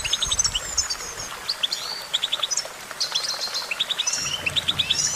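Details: Goldfinch song: rapid high twittering with clusters of three or four short bright notes, interwoven with thin rising whistles and buzzy trills, over faint low background noise.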